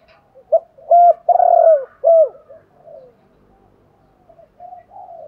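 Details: Spotted dove cooing meant to draw in wild doves: a clipped note, two strong hoarse coos and a falling coo in quick sequence, trailing into soft, low murmured coos in a quiet setting.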